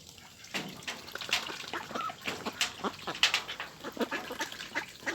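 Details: Rice field farm ducks kept for meat, producing rapid raspy quacks about once per second, several birds calling over one another amid light hiss.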